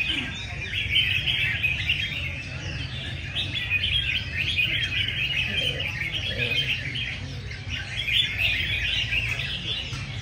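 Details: Red-whiskered bulbuls competing in song during a well-attended contest session: bursts of lively chattering warbles from many birds overlap almost without pause, about four notes a second, over a low crowd rumble.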